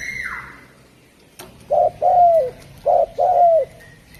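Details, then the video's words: Javan spotted dove cooing: a short low coo followed by a longer drawn coo that slides downward, given twice within about two seconds, with a faint high whistle at the start and quiet background. "Suara Burung Derkuku Jawa"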